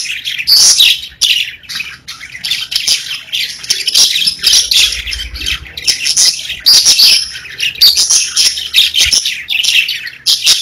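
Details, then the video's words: Several pet budgerigars (parakeets) singing and chirping together: a dense, continuous high chatter of scratchy warbles, squeaks and short whistled notes, with brief dips in loudness but no real pauses. "30 Minutes of Budgies Parakeets Singing, Chirping | Budgie Noises to make them Dance"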